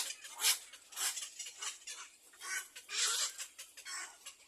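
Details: Young little egrets in the nest clamouring for food from their mother, scratchy hoarse calls in rapid uneven pulses, swelling into a louder burst partway through.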